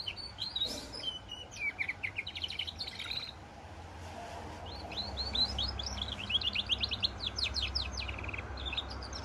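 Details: Singing goldfinch × canary hybrid: an opening volley of sharp twitters, a quieter gap, then a long lively stretch of rising and falling chirps over faint background noise.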